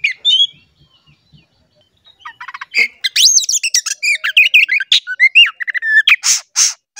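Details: Oriental magpie-robin song used to coax caged magpie-robins to sing: a few sharp notes, a pause, then a fast energetic stream of varied whistles, trills, chirps and raspy buzzes.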